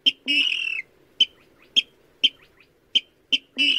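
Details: Rail lure sound for night trapping with nets, 2020: a harsh buzzy rasp, then single sharp clicking notes spaced about half a second apart, ending in another rasping note.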